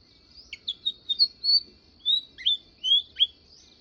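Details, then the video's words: A sparrow gives about ten quick, high chirps, some sliding sharply downward, in uneven bursts over three seconds against a faint low hum. "गप्पाड़ी चिमणी"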